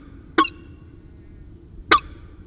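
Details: Two loud, harsh single notes about one and a half seconds apart, from a peregrine falcon at CSU Orange, 5:45 pm on 15 January 2019. Faint hum in the background.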